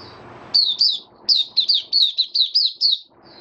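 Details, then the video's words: White-eye kept as a songbird, 23 March 2022, warm humid weather: a rapid string of about ten sharp, high, downward-sliding notes, bright and evenly spaced, following a short quiet start with faint low background noise. "Mata Puteh Kitaro Video 1 buka sing"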